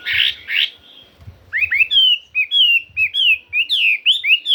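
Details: Chinese hwamei song in a forest-style voice: after two rough opening notes, a fast run of bright whistled notes that slur upward and downward, repeated many times in lively rhythm, with faint low thumps beneath.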